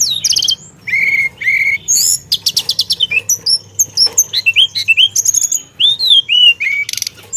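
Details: Rolling, varied song of a Javan tesia with imitated phrases: paired low whistles, rapid pulsed rattles, then a fast stream of slurred whistles and high chips running almost without pause.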